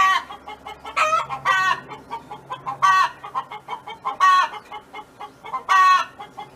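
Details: Hen on a farm giving its song: fast, even series of soft clucks punctuated by about six loud nasal squawks, some rising then falling, a low hum in the background.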